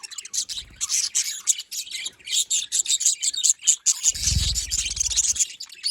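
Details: Budgerigars calling together in dense, continuous high chirping and warbling chatter, rapid overlapping notes with a few low thumps near the end.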